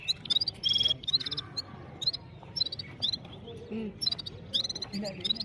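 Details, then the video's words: Red-fronted serins singing one against five, recorded by mobile phone: clipped high buzzes and ringing trilled phrases in quick bursts, some lower soft notes between, over a continuous low rumble. "Gulsar singing voice | One red fronted serin bird Vs five step by step"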